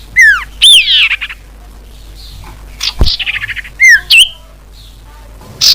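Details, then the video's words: Common iora call meant to draw in wild birds: sharp, slurred whistles rising and falling, with short chattering bursts between them and a quiet pause before more whistled notes. "Mp3 suara pikat burung sirtu cipoh paling ampuh"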